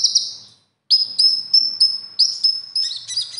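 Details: Competition konin song built from other species' phrases: a brief buzzy burst, a pause, then a run of clipped whistled notes and chattering phrases growing faster toward the end.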